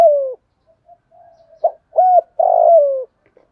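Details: Spotted dove cooing in the thổ and thúc voice styles plus calling coos, used to train lazy decoy birds: a falling low coo, short soft notes, then a sharp note, a flat coo and a long falling coo.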